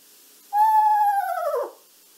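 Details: An Eastern Screech-Owl, a cavity-nester resident in urban and suburban Pinellas County, Florida, gives a single horse-like whinny: a clear, steady, mid-pitched tone that quavers and slides downward at the end, lasting just over a second.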